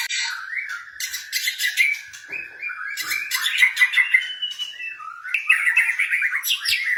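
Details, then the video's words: Caged white-rumped shama singing a rich varied song used to stimulate other birds to sing: warbled whistles and rapid trills around the middle pitches, with harsh broadband chattering notes interspersed throughout. "OCEHAN MURAI BATU BLOROK )PANCINGAN MURAI BATU MLAS BUNYI"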